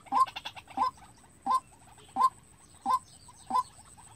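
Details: Trapping-decoy white-breasted waterhen calling alone: a quick burst of notes, then loud, clipped single calls spaced about 0.7 seconds apart, in a quiet setting.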